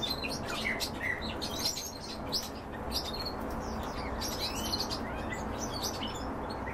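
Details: European bee-eaters while feeding give overlapping liquid, rolling chirps from several birds at once, about two a second, over a steady low rumble of wind or distant noise.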